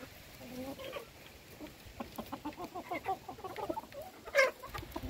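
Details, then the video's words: Hens at feeding time, scattered short clucks and a brief drawn-out note, with one loud sharp clatter near the end. "alimentando mis gallinas"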